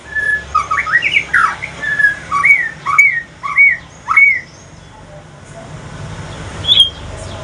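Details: Male white-rumped shama of Aceh singing at evening, shifting to pastol: quick mixed whistles, then several clear upslurred notes, fading into quiet background hiss with one last high whistle near the end.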